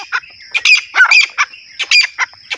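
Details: Grey francolin (teetar), held in the handler's hand, giving harsh, squawky, high-pitched notes in quick ragged bursts, about a dozen in under three seconds, over a thin steady high whine.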